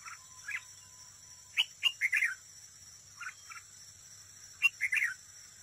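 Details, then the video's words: Close view of a red-whiskered bulbul decoy singing against rivals at a trap: a soft lead note, then phrases of lively rolling whistles repeated every few seconds, with a continuous high whine behind. "Cận cảnh chào mào mồi đấu bẫy, hót đấu"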